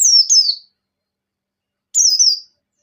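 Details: White-eye (pleci buxtoni) in breeding condition, ngecir song with ngalas: two clear high phrases of double down-slurred whistles, separated by over a second of silence.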